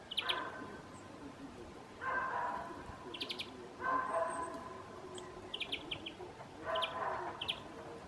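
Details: Eurasian bullfinch calls: soft, mellow piping whistles repeated about every two seconds, four calls in all. Sharper, high-pitched chirps from other small birds are scattered between them over a quiet background.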